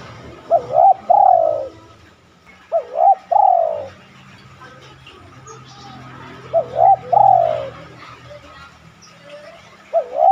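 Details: Repeated cooing by a spotted dove for luring other doves to coo: about four phrases, each two short notes then a long falling coo, roughly every three seconds over low background rumble.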